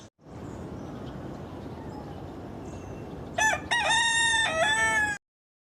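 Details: A single rooster crow comes late after several seconds of steady rushing background noise: a brief opening note, then a loud, drawn-out harmonic call that cuts off abruptly.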